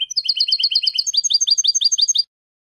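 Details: European goldfinch song used for teaching young goldfinches to sing: fast runs of bright, high twittering notes, one repeated phrase giving way to a second, slightly lower trilled series, clean with no other sounds.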